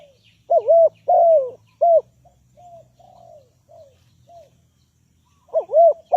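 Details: Spotted dove kept as a trapping lure, repeating loud wavy-then-falling coos. Softer, shorter coos follow in the middle, possibly a second dove, before another loud paired phrase at the end.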